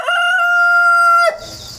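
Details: Rooster hatched indoors and raised in the countryside, recorded 1 September 2019 with a GoPro and wireless mic while crowing many times in a row; a long, steady, harmonic-rich crow note ends abruptly, leaving a high insect buzz.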